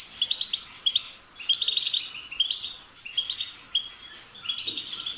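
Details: Goldfinch chirping: quick bursts of high, tinkling twitters and buzzy notes, several phrases separated by short gaps, somewhat softer with faint background hiss.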